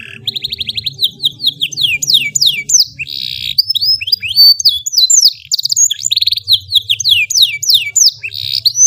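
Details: Lively canary delivering a long, melodious master song for teaching young birds; quick upslurred whistles alternate with buzzy high rolls in a steady stream, over a soft low background hum.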